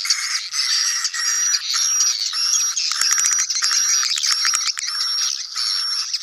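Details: Sedot anakan swiftlet colony sound, suited to a new swiftlet building: steady dense buzzing chatter pulsing about every half second, a thin high whistle repeating along it, and quick clicking ticks midway.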